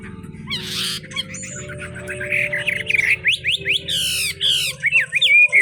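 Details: Chinese hwamei with a forest-style voice in foggy conditions: song begins with scratchy buzzy bursts, then builds into fast, loud whistled phrases with steep rising and falling sweeps, over a low background drone.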